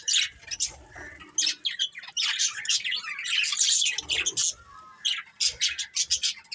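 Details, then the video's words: Several colourful budgies chatter busily, a nearly continuous stream of high, scratchy chirps and squawky warbles that overlap one another, broken by a few short gaps and faint low thumps. "Colourful Budgies Chirping Sounds"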